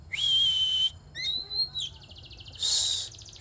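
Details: Oriental magpie-robin singing: a drawn-out rasping buzz, then a few pure whistled notes, another short buzzy trill and a second long grating burst, over steady low background hum.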